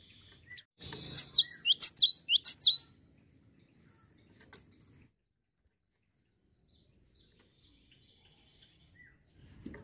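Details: A Java sparrow lure call for coaxing other birds to sing: a two-second flurry of sharp, high, down-swooping notes, followed by long quiet with a single faint click.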